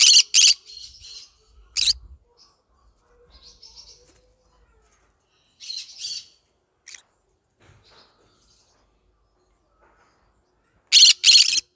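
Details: Yellow-sided green-cheeked conure giving loud harsh squawks in short bursts, paired notes at the start and end separated by quiet stretches with soft chattering and isolated clicks.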